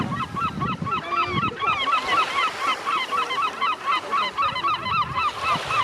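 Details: Gulls at Ustka: a dense chorus of loud, repeated yelping calls, several birds overlapping about four notes per second, with low rumbling background noise.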